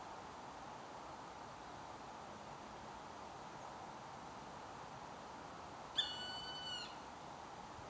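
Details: Northern goshawk in Stockholm, Sweden, giving a single drawn-out, harsh, slightly falling wail near the end, over a steady low background hum.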